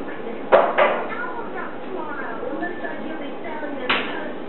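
A Catablue macaw chatters in rough, speech-like babble, with a few sharp clicks and knocks. Television sound runs underneath.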